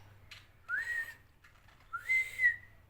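A cockatiel gives two clear whistles, each rising then levelling off, about a second apart.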